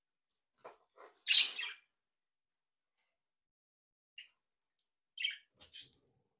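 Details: Budgerigars of a home breeding colony, playing and interacting: soft scratchy notes, then a loud raspy chirp, later brief high squawks and paired chirps separated by quiet gaps.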